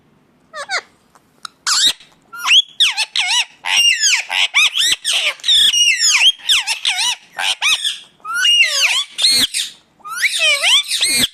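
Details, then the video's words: Indian ringneck parakeet giving its natural calls: a near-continuous run of harsh, shrill screeches, each a fast rising-and-falling harmonic sweep, in short bursts with brief pauses. Indoors, no other sounds. "ringneck 🦜 natural sound"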